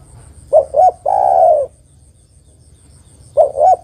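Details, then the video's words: Female spotted dove summoning a male, a lure call: a double coo then a sustained, burring coo, with the next double coo starting after a pause of nearly three seconds. "tekukur betina memanggil jantan"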